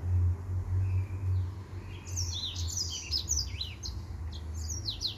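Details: Singing male white tip finch: after two quiet seconds, a run of high, sharp chirps and swooping downward notes follows, with a constant low droning hum underneath.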